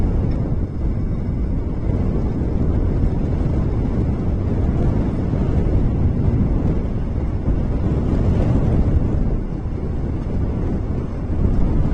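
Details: Only a steady, heavy low rumble of wind or engine-like noise is heard, with no animal calls.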